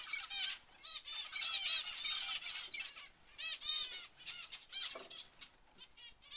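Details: Zebra finches calling: a busy series of short, nasal, harmonic chirps, often several at once, coming in bursts with brief gaps and a quieter, downward-sweeping note near the end.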